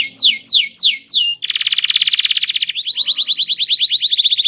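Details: Small canary delivering a loud, melodious song: four descending slurred whistles, then a rich buzzy rolling trill and a steady rapid series of short repeated notes.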